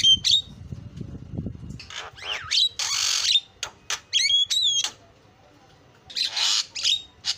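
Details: Javan myna song with isian fill-ins; low rumbling noise at first, then harsh bursts, sharp falling whistles and looping whistled notes, closing with rasping squawks.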